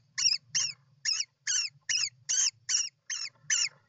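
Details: At a European roller nest, 29 June 2024: a rapid run of nine harsh, grating calls, about three every second, evenly loud, over a faint low hum.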